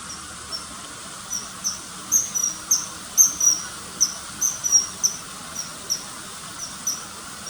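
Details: A common kingfisher repeats shrill, clipped whistles in a rapid, uneven series, sometimes doubled, louder in the middle, with soft hiss beneath.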